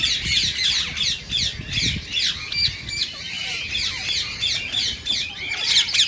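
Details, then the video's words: Indian rose-ringed parakeet sounds meant to stimulate other parakeets to sing and mate; harsh, shrill screeching repeated about three times a second, with several birds chattering over each other. "صوت ببغاء الدرة الخضراء"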